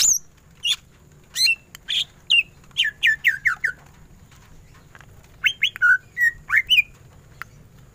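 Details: Greater green leafbird in vigorous ngentrok song. It gives spaced sharp notes, then a quick run of descending slurred whistles, a pause, and another series of sweeping whistles and chirps over a steady low hum.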